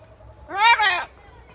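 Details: Blue-and-yellow macaw, an animal-show bird at a park, calling toward ring-tailed lemurs in a one-sided conversation; a single loud, harsh, rising-then-falling squawk of about half a second with a brief break midway.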